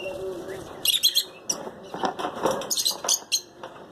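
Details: Lutino lovebirds, kept as pairs: bursts of shrill, high-pitched chirps in quick clusters, with softer lower twittering and wing flutters between.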